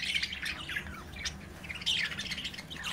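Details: Budgerigar chicks playing inside their cage while the parent birds watch; scratchy squawks and warbling chirps come in quick irregular bursts over a low steady background hum.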